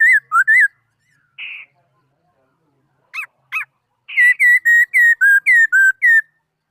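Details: Laughingthrush song with rolling whistled notes, a short pause, two sharp upward-sweeping calls, then a fast series of about eight loud, slurred whistles at a steady pace; no other sounds.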